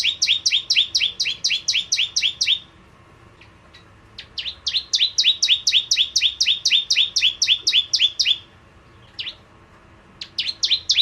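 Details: A lively bar-winged prinia (Prenjak Jawa) used as a lure sound: bursts of sharp, high, down-slurred chirps at about four per second, separated by short silent gaps, with a stray single note between runs.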